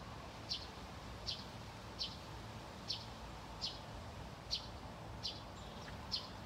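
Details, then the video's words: Eurasian tree sparrows, two birds, calling from shrubbery in Haga on 24 August; brief bright chirps repeated evenly every three-quarters of a second, eight in a row, against a constant background hum of traffic. "Pilfinkar lockar"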